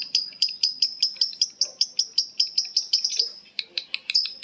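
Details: Lovebirds in ngekek chatter, calling back and forth with evenly repeated piercing high chips, about two and a half per second, in a steady rhythmic series.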